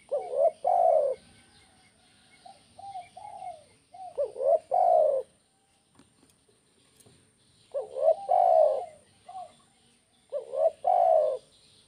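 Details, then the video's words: Cooing spotted dove of the 'kuk 1' type, meant to spur doves into full calling: three strong phrases, each a quick hiccup note and then a drawn-out falling coo. Several quiet coos fill the gaps, with a short pause midway. "SUARA BURUNG TEKUKUR KUK 1"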